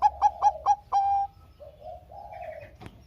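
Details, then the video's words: Song of a Bangkok zebra dove used to coax lazy doves into singing. It opens with four clipped notes and a long steady coo ending a phrase, then soft, low muttered coos follow. "Pancingan Perkutut Bangkok Gacor - suara Kutut Bangkok Gacor ini paling AMPUH bikin Bunyi yang Malas"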